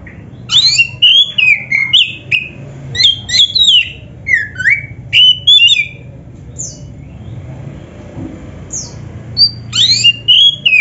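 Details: Kacer dada hitam, Oriental magpie-robin, singing to prompt caged birds: rapid bursts of sharp whistled and slurred notes for about six seconds, a short pause with scattered notes, then another burst.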